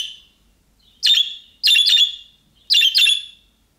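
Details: Calling-style budgerigar calls like those of young birds, made so that other budgerigars reply. Six harsh, buzzy chirps, most in tight pairs, in a quiet background.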